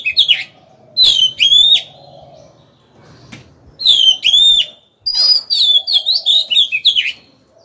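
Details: Oriental magpie-robin decoy singing to lure opponents into a fight; long, pure whistled notes that dip and rise, repeated in phrases, ending in a rapid string of varied warbled notes.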